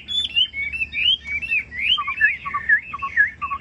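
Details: Chinese hwamei kept in a cage pours out rich, fluid whistled phrases that swoop up and down, each motif quickly changing, with lower mellow notes dropped in between; steady faint hum behind.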